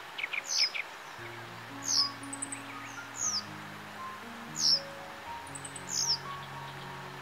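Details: A Japanese wagtail (Motacilla grandis) sings sharp, high chirped notes in short bursts about every second on a riverbank in northern Harima, Hyogo, Japan, in reed-warbler season, over soft background music.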